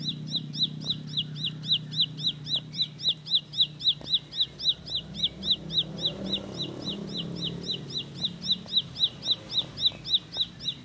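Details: A ciblek pari, the Bar-winged prinia, in extended 'roll speed' song: a long chain of high, sharp, downward-slurred notes near four per second over a low murmuring background rumble.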